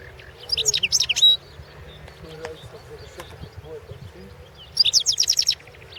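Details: Competition entry at the 2016 World Championship in Goldfinch Song, recording 001/2016, by a European goldfinch: two quick bursts of sharp, high, twittering notes with a pause of scattered soft sounds between them, over a steady low hum.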